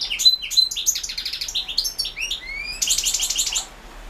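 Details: European goldfinch song entered in the 2016 Carduelis Balcanica internet world championship: a continuous, lively stream of high liquid twitters, quick repeated chirps, a rising whistled slur and a final buzzy, rattling phrase.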